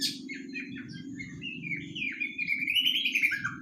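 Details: Juvenile white-rumped shama aged three months practising (dokor): soft twittering notes building into a long wavering whistled phrase, with a steady low hum behind.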